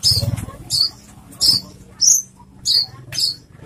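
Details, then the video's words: Loud branjangan, Horsfield's bush lark. Six piercing, squeaky high notes spaced about half a second apart, each a short buzzy burst, with a faint low hum between them. "branjangan suara keras"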